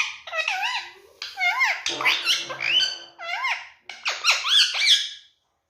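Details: A 16-year-old pet Indian ringneck parakeet talking indoors, giving a run of harmonic, warbling speech-like syllables with rising and falling inflections, squeaky and bright, in bursts over about five seconds with brief pauses.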